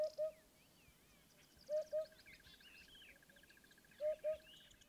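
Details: African hoopoe in Kruger National Park gives soft, low, hollow 'hoop-hoop' pairs about every two seconds, with faint chirps of other birds and a steady high ticking behind.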